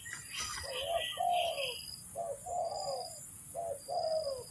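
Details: Spotted dove coos played to lure doves into a trap, given in three two-part phrases of a brief coo and a drawn-out descending one, with a brief chirpy sound at the start and a constant high buzzing background.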